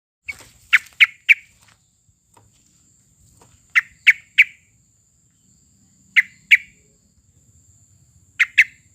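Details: Sooty-headed bulbul song played as a lure to make other caged birds sing: four short bursts of two or three bright, clipped notes spaced a few seconds apart, with a faint steady high hiss behind.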